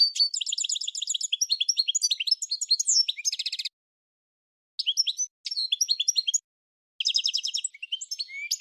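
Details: A goldfinch delivers three twittering phrases of tinkling, fast-changing notes and rattling trills, separated by silences of about one second, with no other sounds present.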